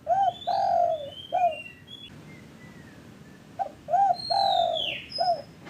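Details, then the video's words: Spotted dove cooing, played to stir stalled or lazy caged doves into calling. Two phrases of short looping coos around a longer, louder drawn note, repeated after a pause, with faint high whistles and chirps of other birds. "pancingan derkuku TEKUKUR bahan, macet, malas cepat BUNYI"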